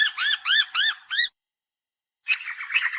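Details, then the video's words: Noisy Miner, a social native Australian honeyeater, giving harsh repeated calls: four rapid scratchy arched notes, a pause, then a denser burst of chattering notes. "Noisy Miner - Bird calls"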